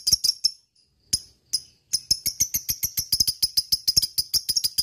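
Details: Lovebird delivering its long 'ngekek panjang' trill, used as a lure to get other lovebirds excited and trilling; short bursts of sharp high chirps, a pause, then a steady run of rapid, dry, repeated notes about four per second.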